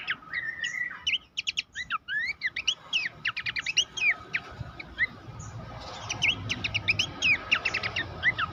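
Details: Horsfield's babbler master song for training songbirds to become contest champions: rapid varied chirps and sharp downslurred whistles in dense bursts, with a short rising whistle near the start and a steady faint hum behind.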